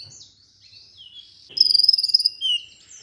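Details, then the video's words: Olive-backed sunbird (kolibri ninja) in a masteran used to stimulate singing: high thin slurred whistles, then a quick, very high pulsed trill lasting under a second, ending in a short downslurred note. "MASTERAN merangsang KOLIBRI NINJA UNTUK PANCINGAN KONIN"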